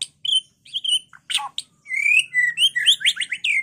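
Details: White-rumped shama song used to provoke other birds to fight and sing: a rich varied run of clear whistles, buzzy notes and quick rising and falling phrases, mostly high-pitched, delivered in bursts with short pauses.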